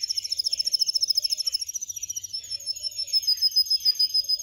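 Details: Canary trilling in a song-training recording, a quick high pulsed trill that slows into spaced, clipped notes, with a faint low warble underneath.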